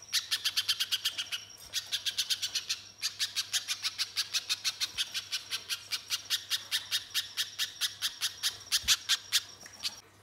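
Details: Spiderhunter in lively song as a lure for other birds: insistent, evenly paced high chips repeated several times a second, broken by brief gaps, with a thin sustained whistle-like tone and a low hum beneath.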